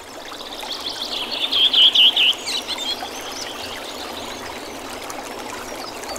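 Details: A redwing (Turdus iliacus) sings in spring in Oulu, Finland, on 24 April 2019: one short, loud phrase of about five quick, high, slurred notes over a steady rush of running water.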